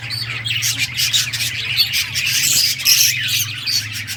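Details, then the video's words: Budgies at play give a nonstop mix of sharp chirps, thin whistles and scratchy squawks from several birds at once, backed by a low droning hum. "Budgies playing and chirping"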